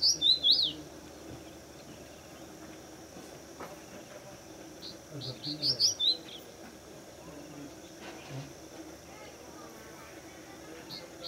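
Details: A male crested bunting in the breeding season, perched above a fort wall in Pune, India, sings two brief, bright phrases of quick high notes about five seconds apart, over a faint steady background hum.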